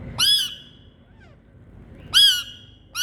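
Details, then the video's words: Indian green parrots calling with different sounds: two harsh, screeching squawks rich in harmonics, spaced about two seconds apart, with a third beginning at the end, over a faint low rumble. "Indian Green🍃Parrots Calling✨️ Different Sounds🥀"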